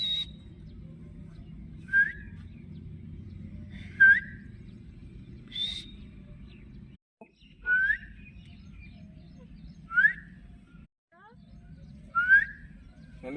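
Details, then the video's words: A pet green rose-ringed (ringneck) parakeet in Pakistan, a talking bird that says "mian mithu", gives short whistled notes that bend downward about every two seconds, with a few sharp clicks over a steady low hum. "so Beautiful Talking Parrot Mian Mithu | Cute Parrot voice"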